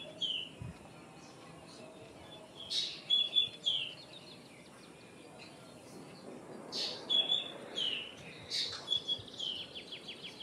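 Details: Common myna calling in three separate bouts. Each opens with a loud rasping note and runs into level whistles and quick down-slurred notes, with quiet stretches of faint hiss between them.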